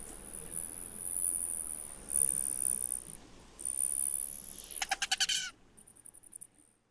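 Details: A male Rufous Hummingbird's display: a very high, thin whine from its wings in flight breaks into loud stuttering pulses from the waggle display as it comes out of the dive, then a faint high trill, over soft hiss.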